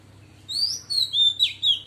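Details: Female Oriental magpie-robin, singing in wild style to stimulate males: a short run of long, clear whistles sliding downward and then climbing, four loud pulses over a soft steady hum.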